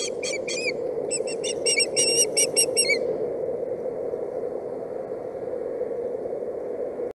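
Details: Boulder County nest-cam osprey chick, 8/7/17, objecting to a stick brought instead of fish: about three seconds of rapid shrill whistled squeals, then only a steady low hum.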